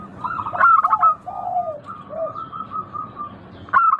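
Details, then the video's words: Local zebra dove cooing: a loud rippling phrase early on, lower sliding coos after it, then a long soft trill and a fresh loud phrase at the end. "Suara burung perkutut lokal Merdu kristal Jernih Ampuh bikin cepat bunyi manggung ngayer"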